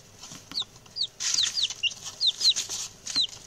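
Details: Chatty young male chickens, six chicks newly arrived and raised for eating and taxidermy: loud, high, descending peeps in an uneven series, some closely doubled, over faint rustling.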